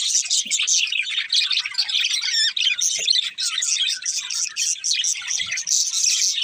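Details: Budgerigars, more than one, chirp in lively overlapping chatter of high squeaks, trills and short whistled slides, continuous throughout with brief dips.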